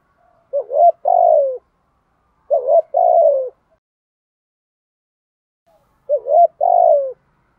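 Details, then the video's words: Spotted dove used as a decoy to lure wild birds, cooing in the 'thúc gù' style. Three evenly spaced phrases, each a brief hooked note followed by a drawn-out descending coo, separated by silence. "Tiếng cu gáy mồi THÚC GÙ kích bổi chuẩn"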